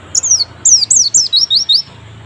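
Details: Lure song of a white-eye for a reluctant singer: high, clear chirps sliding downward, about eight in quick succession over a low hum.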